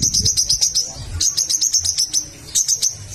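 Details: Little spiderhunter used to provoke rival birds into singing: brisk series of high, clipped chips, several short runs with brief pauses, faint low noise in the background.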